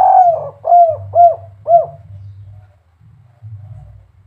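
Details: Tail of a spotted dove's kuk 3 song from Semarang, Indonesia: a sliding coo followed by three short, arched kuk notes roughly half a second apart, then only a low hum remains.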